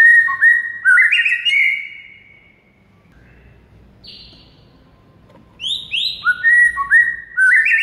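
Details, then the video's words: Masteran recording of white-rumped shama singing, played to get a mute shama going: opening burst of loud whistled slurs, a long silent gap with one high whistle, then a fast run of rising and falling whistled notes. "DALAM HITUNGAN DETIK MURAI BISU AUTO GACOR DOR DENGAR MASTERAN SATU INI"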